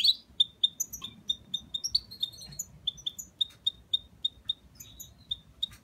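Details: Singing hybrid of parva goldfinch and canary giving a string of short, evenly pitched high chip notes, repeated roughly three times a second with brief twitters between, in a quiet room.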